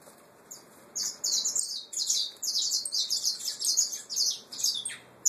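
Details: Young Peruano puro canaries, nestlings, singing long stretches of fast, high, chattering trills in repeated bursts of about two per second, with brief gaps between phrases.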